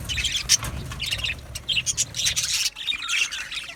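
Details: Budgerigars in an aviary chirping together, a dense flurry of high, scratchy chirps and short squawks in bursts, with several birds calling over one another and little pause between calls.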